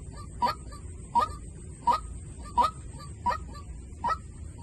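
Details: White-breasted waterhen used as a decoy call: six evenly spaced, short honking notes with a quick upward twist, roughly 0.75 seconds apart, with steady low background noise.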